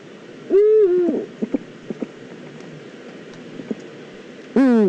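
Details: Two Eurasian eagle-owls in the Eifel. A harsh, harmonic call bends upward and then sags for about half a second. Faint taps and clicks follow, and a second rough, loud call begins at the very end.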